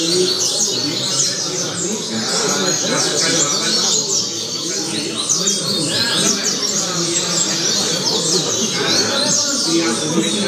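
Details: Tutor song of a double-collared seedeater, played for young birds to learn from: dense, rapid high chirps and twittering trills run continuously over a steady hiss.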